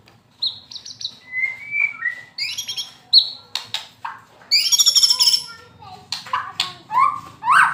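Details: Moulting white-rumped shama in fighter style song: varied whistles, sharp clicks and crackling bursts, high buzzy rattles and falling notes in quick, irregular sequence.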